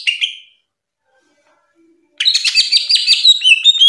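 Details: Greater green leafbird, a national top-ranked bird, sings a brief high note, then after silence a dense, rapid, chattering warble of mixed whistles and buzzes.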